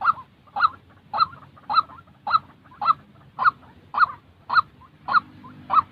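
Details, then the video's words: Genuine white-breasted waterhen calling, used to train decoy birds for trapping: eleven loud, croaking notes at an even, regular beat of about two per second, with small quieter notes slipped between and a faint hum beneath. "tiếng chim quốc thật để ae tập mồi mới thay lông nhanh lên lửa mà k bị phụ thuộc loa"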